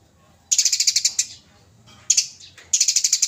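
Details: Fighting Eurasian tree sparrow from a judge-selected training recording: three loud volleys of rapid, high, ringing chirps, roughly ten notes in the first, three in the second, eight in the last.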